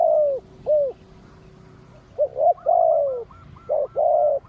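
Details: Loud drawn-out falling coos from a decoy spotted dove answering wild birds, then a burst of quick short notes and another long coo, while a fainter dove gives soft upturned notes.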